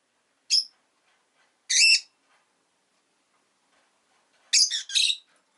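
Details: Rosy-faced lovebird kept as a pet giving loud, shrill, buzzy chirps: a single short note, a longer harsh one, then a rapid double burst after a pause.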